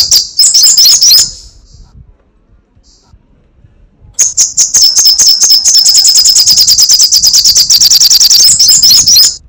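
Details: Crecetan chatter from a sunbird known locally as sogok ontong or srigati: a quick high burst, about three seconds of silence, then a long, steady run of fast, sharp ticking notes.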